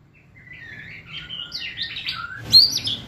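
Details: White-rumped shama in kretekan style, used to rouse the bird's emotion: soft, rising run of warbled high notes that builds into a brighter, sharper squeaky burst near the end, with faint low hum underneath.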